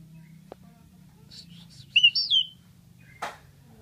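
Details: Asian pied starling, a mimic of human voices, giving a few high, clear whistled notes that slide down and then rise, with a soft tap and a brief rasping burst afterwards in a quiet room.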